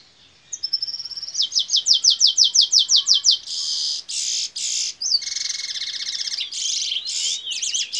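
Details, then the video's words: A locally bred Fire Red mule (canary x red siskin hybrid) from Trinidad sings a bright, high song in bullfinch style: a rapid series of rising chirps, then buzzy rolled trills and twittering phrases. "Fire Red mule (canary x red siskin)"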